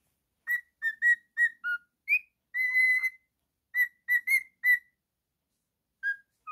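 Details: Male cockatiel at home singing: a quick string of short whistles, a rising upslur, a drawn-out steady tone, more short notes, then a brief drop-off with sparse final whistles.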